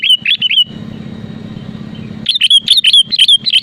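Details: Energetic sooty-headed bulbul song meant to push rival birds into answering: bursts of quick liquid whistled notes, a pause with only low droning hum, then a fast tumbling series of bright chirpy phrases.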